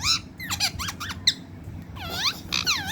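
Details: Angry talking parrot making quick squeaky calls: a run of short swooping notes, then two louder, wavering dipping squeals near the end, over a steady low hum.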